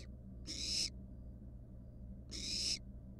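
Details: Barn owl nestling in a wild nest box, resting on a mouse: two long breathy hissing screeches about two seconds apart against a quiet humming background.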